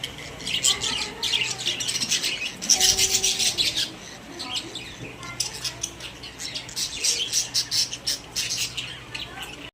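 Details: Several pet budgerigars in a cage: steady high chirping and warbled chatter, with one louder burst of squeaky calls midway and a faint tonal hum beneath.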